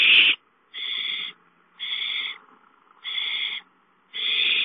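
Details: A gopher is brought to the nest, with owls heard there giving loud hissing screeches. A sharp first burst is followed by four evenly spaced, drawn-out rasps with clear gaps between them.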